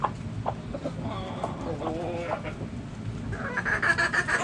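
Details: Backyard hens clucking: soft, low, wavering clucks and murmurs over three seconds, then a fast burst of loud, rasping, pulsed cackling at the end over a low hum.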